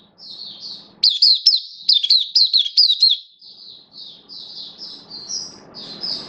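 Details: Oriental white-eye kept caged for the bird hobby, buka (opening) singing on 11 September 2022 while slightly off form: a thin high note, then a run of fast sharp chirps, followed by a string of softer sweet twittering notes.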